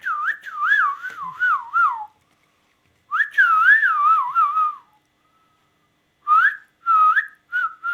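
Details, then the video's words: Captive ringneck parrot kept indoors, in bursts of loud, wavering whistles that swoop up and down in rapid warbled loops, two long phrases about two seconds each, then shorter rising whistles; no other sounds. "ringneck t|alking parrot"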